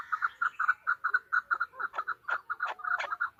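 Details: Female chukar partridge: steady, rhythmic clucking at a mid pitch, the notes becoming slightly harsher and more irregular in the second half.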